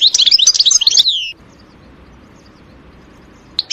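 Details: Wild European goldfinch in a forest: a burst of just over a second of rapid, tinkling high twitters that ends on a descending slurred note, then near silence with a faint distant chirp at the very end.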